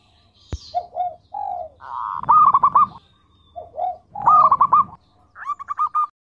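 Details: Local zebra dove, a keen singer with a sweet, luxurious voice used to coax other birds. Low mellow coos lead into loud rippling coo runs, the pattern repeated twice, then a final brighter rolling phrase. One sharp click early on.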